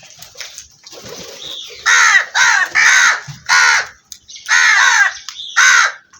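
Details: Black crows cawing in a burst of six harsh, hoarse calls in quick succession, preceded by softer rustling and faint chirping.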